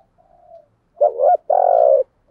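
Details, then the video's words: A decoy spotted dove coos to provoke wild birds: a faint soft note, then a short double coo and a long, steady, mellow coo. "chim cu mồi thúc gù"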